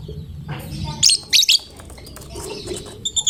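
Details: Caged gacor fighter lovebird singing to draw other lovebirds into song: two or three sharp, shrill high chirps close together, then soft twittering and quiet background noise.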